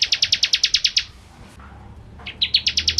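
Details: Bar-winged prinia singing briskly, for training white-rumped shamas: a quick string of bright, high chips, a gap of about a second, then the rapid chipping resumes.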